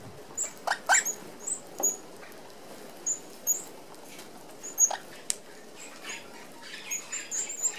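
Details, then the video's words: Sparse, very high, short peeping notes from a flock of Australian red-browed finches at a meshed feeder, with scattered wing flutters and occasional clicks between quieter gaps. "Red Browed Finches"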